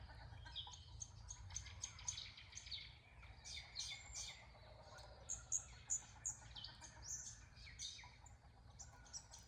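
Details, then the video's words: Western rosella visiting a garden bird bath in Australia, giving quick, high, tinkling chirps in irregular bursts over a steady background of soft twittering. "Western Rosella"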